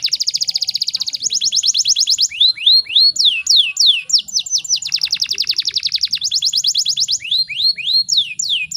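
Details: Canary, female in breeding condition, used to provoke males to sing: a quick rattling trill shifting into rapid downward-sweeping whistled notes, another pulsed roll, then more sweeping chirps, high and dense.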